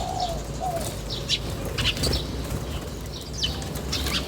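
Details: Birds chirping in nature, brief high chirps and sharp clicks scattered through, opening with two soft lower warbled notes, over a low background rumble.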